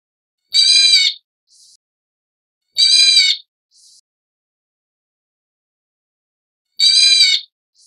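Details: A leucistic black bulbul of the Taiwan-endemic subspecies Hypsipetes leucocephalus nigerrimus gives three harsh, nasal, cat-like mews, each followed by a faint, short, higher note, spaced two to four seconds apart in otherwise quiet surroundings.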